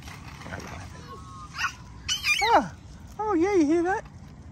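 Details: Australian magpie calling on an early, cloudless, foggy bush morning, a little earlier than usual: a falling, fluty yodel, then a wavering, warbled phrase. A man speaks just before it, over a faint outdoor hum.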